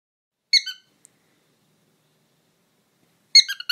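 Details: Pet bird giving two short bursts of bright, squeaky chirps a few seconds apart, high-pitched and rich in overtones, with silence between them.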